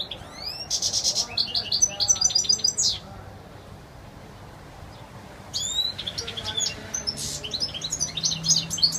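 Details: European goldfinch giving wild, clear song: bursts of rapid high twittering, buzzy trills and quick descending notes, pausing for about two seconds midway before resuming the fast tinkling phrases, with faint background noise.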